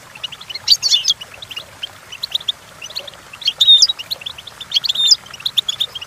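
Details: Song of goldfinches, meant for teaching young goldfinches to sing: fast, liquid high chirping throughout, with two or three louder clusters of bright sweeping trills standing out.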